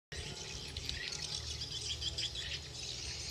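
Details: Swiftlets returning, chattering together in a dense wash of high, thin chirps and twitters, with a low rumble underneath.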